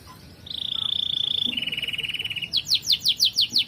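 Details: Canary song meant as a model for other birds: a steady high rolling trill, then a slightly lower trill, then a series of quick descending whistled notes about six per second.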